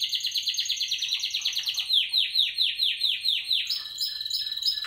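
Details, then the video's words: A Spanish Timbrado canary bred in 2017 sings a fast, rattling trill that slows into distinct repeated swooping notes about three per second, ending in higher clipped metallic phrases. "Timbrado español original 2017"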